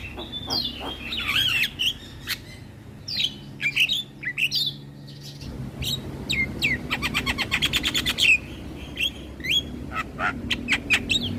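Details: Javan myna song used as a lure for mynas and starlings: a busy medley of squeaky whistles, harsh rasping notes and rapid clicking trills, with sharp chattering bursts repeated through the phrase over a low background hum.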